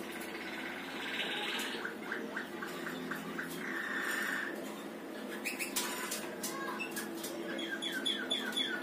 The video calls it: Malinois canary singing